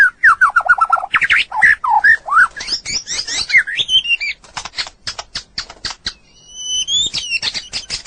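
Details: White-rumped shama training song for other birds: fast descending whistled notes repeated in a run, then mixed warbling phrases and harsh rattles, ending with a high thin drawn-out whistle.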